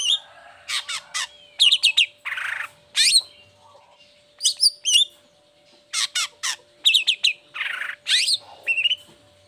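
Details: Long-tailed shrike song used as a lure to get lazy or moulting shrikes singing: bursts of sharp rising chirps, harsh buzzy notes and quick whistled trills, separated by short pauses, over a faint steady hum.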